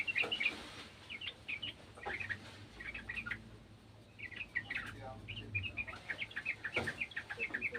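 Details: Sooty-headed bulbul singing along with another bulbul: scattered short, bright chirping phrases repeated throughout, over a low rumbling background and a faint voice.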